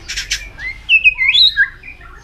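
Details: White-rumped shama singing hard in a competitive singing bout with continuous tail flicking; a few harsh scratchy bursts lead into a varied, warbling whistled phrase that rises and dips before trailing off.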